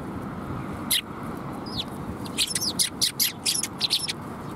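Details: Sparrows at a Tenmangu shrine on 13 December 2021: a lone sharp chirp, a short pause, then a lively burst of about ten high, clipped tweets in close succession, with a low hum behind.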